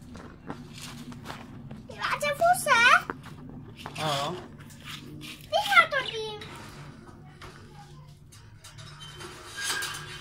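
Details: Breeding budgerigars chatter in a few bursts: warbling, wavering squawks with a speech-like quality, separated by quiet gaps over a low indoor hum.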